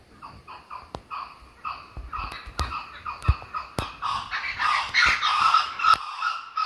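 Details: Laughing kookaburra at Jim Jim Falls, Kakadu National Park, Australia, heard on a walk: spaced hooting notes quicken and swell into a loud, chaotic cackling laugh, with sharp clicks throughout.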